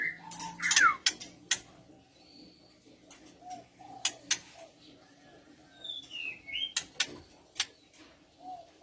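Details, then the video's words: Oriental magpie-robin female in breeding condition calling, with males responding: loud clicks and a steep downslurred whistle at the start, then spaced clicks and a few short whistled notes, including a rising two-part whistle later on. "SUARA MURAIBETINA BIRAHI, JANTAN AUTO NYAUT"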